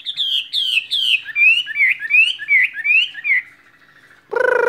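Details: Caged skylark singing: a quick series of clear, slurred whistled notes, first falling then rising and dipping, about three per second, followed by a short pause and an abrupt harsh, buzzy, nasal burst at the end.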